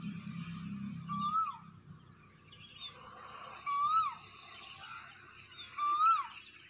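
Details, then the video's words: A cuckoo at morning sunrise gives loud, clear, rising whistled notes, one about every two and a half seconds; a low rumble and faint background chatter fill the gaps. "BEAUTIFUL CUCKOO SOUND"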